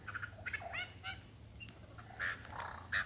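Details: A male superb lyrebird courting a female in the Dandenongs runs through mimicked sounds: short chirps and rising slurred notes, a lone thin whistle, then two loud harsh bursts near the end.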